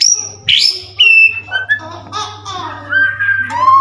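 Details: White-rumped shama song aimed at provoking other shamas: a series of clear whistled notes at varied pitches, some sliding up or down, with short pauses between, and a faint steady low hum underneath.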